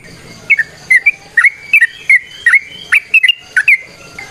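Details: Trucukan, the Yellow-vented bulbul, in energetic ropel nrotok ngecuplik song used to coax other birds into singing: a steady string of bright chirped note pairs, each a quick upward then downward flick, repeated about every half second.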